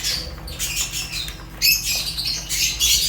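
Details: Fischer's lovebirds chirping in shrill, scratchy bursts, quieter at first then louder overlapping squawks from about halfway, with a faint steady hum.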